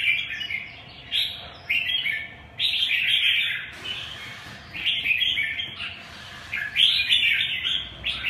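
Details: Red-whiskered bulbul singing in bursts: lively warbling phrases of slurred, chattering whistles separated by short gaps, roughly three bursts every few seconds, clear over a quiet low background hum.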